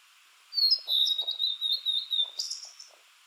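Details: Blue-and-white flycatcher, a summer visitor to low mountains in Japan, singing slowly from a treetop or dead branch: clear high whistles sliding down into a long run of rolling, warbled notes, ending in a brief buzzy flourish.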